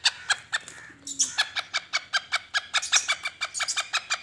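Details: Black francolin, known locally as kala teetar, in a spirited calling mood: a rapid, steady run of harsh, clipped notes, about five each second, with a brief faint lower tone early on.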